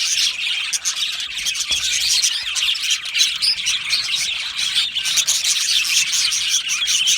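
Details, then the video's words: Captive budgie colony in an aviary, chirping and singing: lively overlapping warbles and high chirps, punctuated by short scratchy squawks and quick clicking bursts. "Beautiful Budgie singing and chirping sounds"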